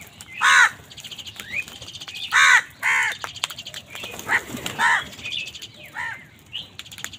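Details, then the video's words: Harsh loud caws from angry crows fighting wild birds for food come in spaced bursts, some doubled, with softer chirps and outdoor background noise between them. "Angry kawa ki awaaz"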